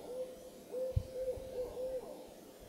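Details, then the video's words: Owl at moonrise, Carpenter Mountain fire lookout, H.J. Andrews Forest, Oregon, USA, calling a steady series of five clear, flat-pitched toots in quick succession; a single low thump sounds near the second note. "Owl Calling at Moonrise"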